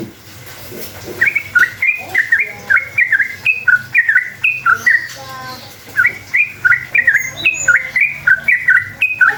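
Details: Sooty-headed bulbul in a long, rolling 'ropel' song used as a lure to make other bulbuls answer: quick bubbly whistled notes that rise and fall, in repeated phrases with a short pause midway and faint lower tones.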